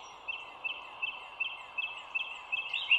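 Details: Bald eagle at a nest seen from an overhead live camera by the Dulles Greenway, 25 March 2022 at 07:16; soft, high piping notes spaced evenly about three per second over a droning chorus.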